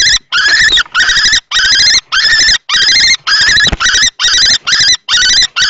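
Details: At a nest box in Théding, France, on 20 March 2024, an older adult male kestrel fights a young juvenile-plumaged male while a female is nearby. Drawn-out, grating ringing notes come in a rapid, almost unbroken series.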